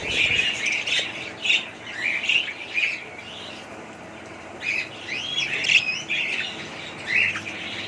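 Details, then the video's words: Budgerigars calling in short bursts of bright, chattering chirps, some with rising and falling warbled notes, repeated in clusters about every half second to a second with brief quieter gaps. "budgies parrot sound"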